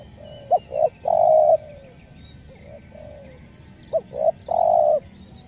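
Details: Lure call of a spotted dove in the 'nekan nguku selang gagap' style for catching wild forest doves; two soft phrases, a short clipped note, a rising note and a long held hollow coo, then quiet.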